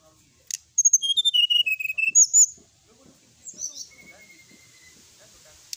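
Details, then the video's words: Brown-chested jungle flycatcher song as tutor material: a rapid cascade of high whistled notes stepping downward, ending in a buzzy flourish, followed by a quieter thin whistle. "srdc gacor full isian ,masteran srdc malam hari dan terapi srdc"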